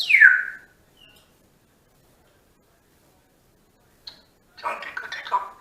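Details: A two-year-old female pet African grey parrot, kept in a family home and chatting to herself, gives a loud falling whistle, then a faint click, then a burst of raspy, mumbled chatter.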